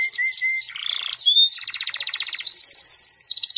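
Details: Canary described as a constant, lively singer, with swaying delivery and ornamented turns. A few clear whistled notes lead into a scratchy passage, then a long, fast, rattling trill that fills the second half.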